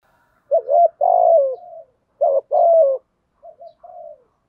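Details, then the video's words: Spotted dove cooing in a lure recording meant to draw wild doves: two loud, throaty coo phrases with a low wavering tone, then a softer trailing coo, in a quiet setting. "Tiếng chim cu gáy kích bổi nhanh nổi. thúc gù, gáy gọi"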